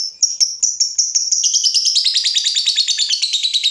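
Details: Fighter lovebird provoked by a rival, starting with spaced shrill chirps that speed up into a dense, rattling stream of high chattering notes.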